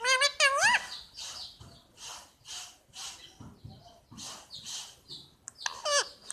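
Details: A pet Indian ringneck parakeet opens with a couple of rising squawks, then quieter rhythmic rasping and breathy noises, ending with another sharp downward-sweeping screech.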